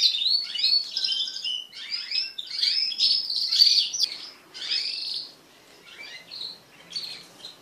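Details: Mating crested canaries in a group deliver five seconds of rich, rapid trilling and chirping, then trail off into scattered soft chirps.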